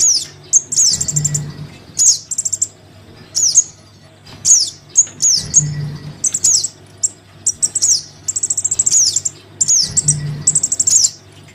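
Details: Crimson sunbird chick begging from its parent, used to lure the birds down: shrill high chips, sweeping downslurs and fast ticking trills repeated in irregular bursts, with a low hum beneath.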